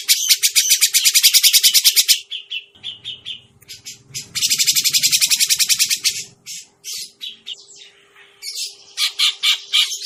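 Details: Grey-cheeked bulbul lure call for trapping birds: a two-second burst of rapid, harsh, buzzy chattering notes, fainter scattered calls, then a second long chattering burst and several short bursts near the end, over a steady low hum.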